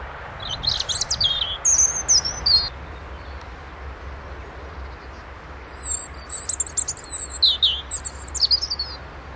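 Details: Robin singing in February, two separate high, thin song phrases split by a few seconds of pause, each a quick jumble of sweet trills, falling slurs and sharp twittering notes, with low distant rumble beneath.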